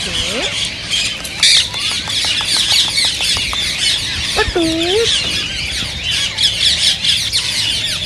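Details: Loud flock chatter of green ring-necked parakeets, aimed at stimulating singing and mating, with rapid high chirps, sharp clicks and two lower bending squawks.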